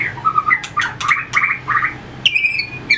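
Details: Training session for a White-rumped shama's fighting song, bird tail-flicking on its perch: choppy warbled phrases and short whistles repeated about twice a second, broken by clicks, ending with a clear, steady whistle.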